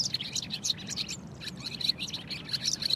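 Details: Barn swallow singing a rapid, continuous chatter of high twittering notes and scratchy chirps, with steady low background rumble.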